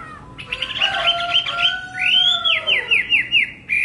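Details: Whistled song of a hwamei: a warbling opening, then a long smooth rising-and-falling slur, followed by a rapid series of downward-sweeping notes.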